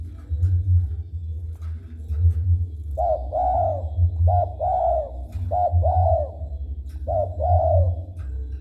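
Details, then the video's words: Caged spotted dove in Indonesia cooing when approached: four clear coo phrases, each a short note then a longer slurred coo, repeated about every one and a half seconds, over a steady low hum. "Burung tekukur gacor setiap dideketin manggung"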